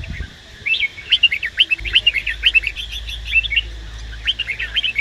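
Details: Male red-whiskered bulbul stimulated by a female while being trained for competitive singing. A short pause gives way to strings of crisp, rapid whistled chirps, rising and falling unevenly, ending in a final flurry.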